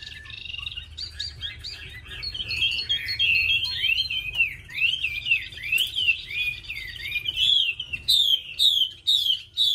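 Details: A tame female Chinese hwamei, nearly through her moult and calling readily when hung out, pours out loud, sliding whistled phrases meant to spur a male into song.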